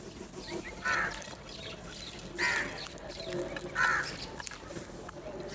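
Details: Crows calling while fighting over food and feeding together: three harsh, hoarse caws spaced about one and a half seconds apart, over low background rustle and faint outdoor noise.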